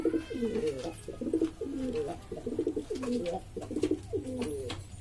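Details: Noisy flock of domestic pigeons of mixed breeds from East Lombok, Indonesia, calling together: dense, pulsing throaty coos repeated in short bursts about every half second, several birds overlapping throughout.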